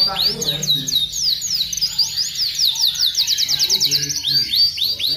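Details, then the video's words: Kenari, an Atlantic canary, singing energetically as a tutor song: rapid rolling series of high rising and falling notes speeding into a dense trill, with soft lower chatter beneath. "Kenari gacor untuk masteran"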